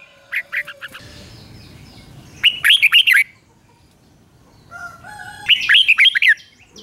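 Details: Caged red-whiskered bulbul singing a morning training song in the ché style. Two loud bursts of fast, bright chirps stand out over faint rustling, with steady low tonal notes sounding between them.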